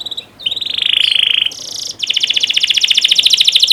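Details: Canary song for training juvenile canaries to sing: a brief whistle, a sustained rattling high roll, a harsh buzzy burst, then a fast, even pulsed trill to the end.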